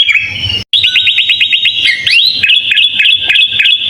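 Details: Kutilang, or sooty-headed bulbul, in full isian song used as a training master: a quick series of repeated downward-hooked whistles, a rising swoop, then sharp level whistled pulses.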